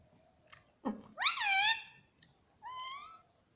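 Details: Talking pet rose-ringed parakeet in a room, known for saying mummy; a sharp downward glide, then a loud arched harmonic syllable and a softer, flatter second syllable against low background hiss.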